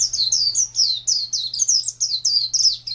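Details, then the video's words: Caged white-eye (pleci) kept as a contest songbird, 2017: a fast, unbroken chain of sharp, high, down-slurred chirps, each note running into the next, with a constant low electrical-sounding hum underneath. "Birds Chirping Pleci Master Joss Chirps"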